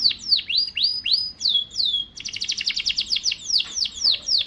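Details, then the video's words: Canary song opening with spaced, looping downward-swooping whistles, then a level held note, followed by a rapid pulsed trill and more swooping notes. "٣٠ دقيقة تغريد مستمر ورائع مهما كان نوع الكناري خاصتك سيبدء بالتغريد"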